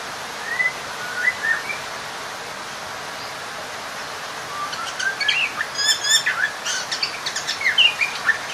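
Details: Oriental magpie-robin (kacer) singing to seek a rival and rile other magpie-robins, used as a lure. The song starts faint and sparse, then becomes varied whistles and sharp chirps in the second half over steady background hiss.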